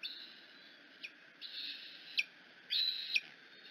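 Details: At the Decorah nest a hungry bald eagle eaglet screeches on its mother's arrival in the afternoon: brief sharp chips and two drawn-out, level whistled squeals.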